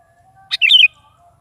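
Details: Sooty-headed bulbul giving a single short, bubbly warbled phrase in the morning, a song meant to coax a pet bulbul into answering, over a faint steady low hum.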